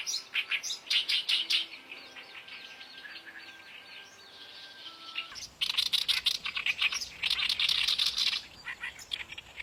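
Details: Wild oriental reed warbler singing in its natural habitat: harsh, grating bursts of rapid chattering notes in two runs separated by a quieter pause, with faint thin tonal lines underneath.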